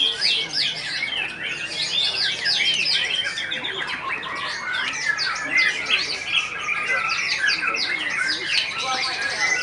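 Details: White-rumped shama (murai batu), the first-place bird at a songbird contest in Ngawi, sings a rapid, dense stream of high, varied chirps, whistles and short trills, notes tumbling over one another, with faint voices beneath.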